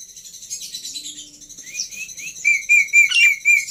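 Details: Black-winged myna tutor song: soft high twittering that builds into clear whistled notes repeated about four times per second, with a faint low hum underneath.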